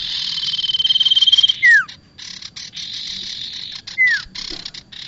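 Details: Sound for trapping bar-winged prinia: a rapid stuttering rattle building in loudness, a down-slurred whistle, choppy buzzy bursts, then a second falling whistle.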